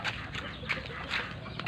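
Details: Duck giving short, harsh, nasal quacking bursts at an uneven pace of about two or three per second, over a steady broadband background hiss.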